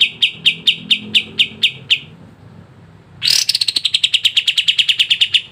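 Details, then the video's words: Sooty-headed bulbul sound used as a lure to get lazy caged birds to sing: about nine evenly spaced sharp high chirps over two seconds, a short pause, then a faster, denser run of about twenty similar chirps. "PANCINGAN BURUNG KAPAS TEMBAK MALAS BUNYI CEPAT IKUT GACOR"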